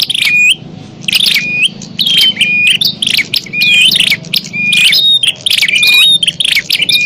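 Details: Agitated bar-winged prinia fighting call used to attract wild prinias: dense runs of scratchy chattering bursts, each often ending in a clear upslurred whistle, roughly once a second, with a steady low hum underneath.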